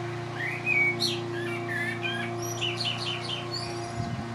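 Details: Male common blackbird singing from a rooftop in Lower Hutt, New Zealand, late spring with a light breeze: rich mellow whistles run into a series of rapid twittering phrases, backed by a constant lawnmower hum.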